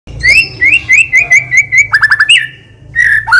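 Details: Selected White-rumped shama singing constantly, rich in varied fill phrases with long bursts, used to prompt other birds: sliding whistled notes repeated about every third of a second, then a quick descending trill and a lower slurred whistle.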